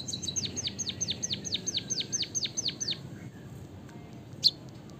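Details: Javanese white-headed munia delivering canary-style song, a stimulant for other birds. About a dozen sharp whistled downslurs repeat rapidly for three seconds, followed by near quiet and one isolated high chip.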